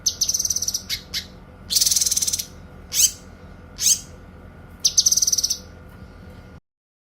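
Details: Cililin versus cucak kinoy songbird training recording: quick high trilled phrases and sharp chirps, a long buzzy pulsed trill, two swooping slurred whistles and a final rapid high trill, ending abruptly.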